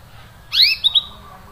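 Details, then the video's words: Canary giving a cuit cuit call: one sharp, high, downward-sweeping chirp followed by two short clipped notes, against a faint low hum. "cuit cuit suara burung Kenari"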